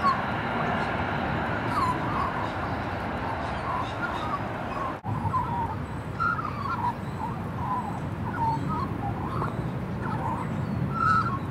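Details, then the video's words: A happy juvenile female magpie sings a thank-you song: soft warbling phrases of short whistled and gurgling notes, some rising and falling, running through the whole stretch over a steady low background rumble. "Magpie Sings a Thank You Song"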